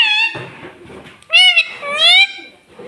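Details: Talking pet parrot, kept indoors and taught words like 'mummy' and 'papa': a steady harmonic note, then two loud drawn-out wavering vocalisations with faint background noise.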